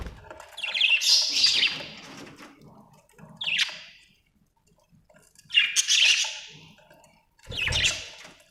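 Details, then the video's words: Four separate bursts of harsh, scratchy budgie chirps divided by quiet pauses, the first burst longest and twittering. "budgie chirping sound"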